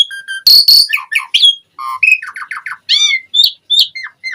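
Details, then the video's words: Asian pied starling in energetic full isian song: a level whistle, two harsh noisy blasts, then a tumbling run of short chirps and slurred whistles, some falling, some rising, with brief pauses between. "Suara Jalak Suren Gacor Full Isian ANTI MACET"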